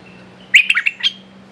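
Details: Red-whiskered bulbul calling as a decoy to tempt a clever territorial wild bird; a short, loud run of sharp, bubbly chirping notes ending in a higher clear note, with a faint low hum underneath.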